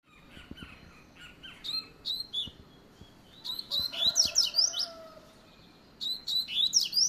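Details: Double-collared seedeater singing a fast 'luxo' song: bursts of high, sweet, slurred whistled notes swooping up and down, given in short phrases with quiet gaps, with a few soft clicks and faint background noise.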